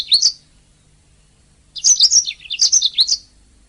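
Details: Master recording of a canary for training songbirds; a brief high chirp, a pause, then a rapid phrase of warbling twitters and repeated bright notes, clean background.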